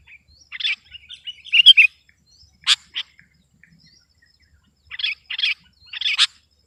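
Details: Sooty-headed bulbul singing to press a rival: a quiet chattering opening, then loud chirps spaced with short gaps and a closing group of three bright notes.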